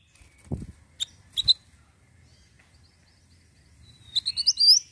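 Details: Ashy tailorbird giving a short, quick series of high, rising whistled notes near the end, preceded by a few scattered clicks and knocks.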